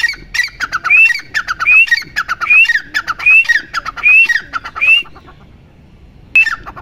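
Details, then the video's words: Grey francolin, known locally as teetar, giving a repeated call: a sharp upward-sliding whistle with clattering clicks about every 0.8 seconds, six times in a row, a pause, then one more phrase. "Teetar Ki Awaaz"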